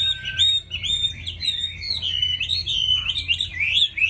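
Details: Tame caged hwamei in good song: a continuous stream of rich, fluid whistled phrases that rise and fall rapidly, with varied warbles and slurred notes and barely a pause, over a faint low hum.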